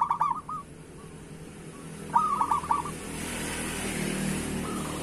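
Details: Local zebra dove song for prompting other doves: two phrases of rapid, rolling coo notes, the second louder, followed by a rising hiss of broadband noise that covers the last seconds, with a faint coo at the end.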